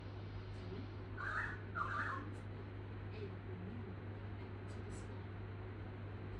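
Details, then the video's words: A pied currawong gives two short, mid-pitched ringing notes in quick succession, then falls quiet, over a steady low hum. "Pied Currawong Makes A Noise"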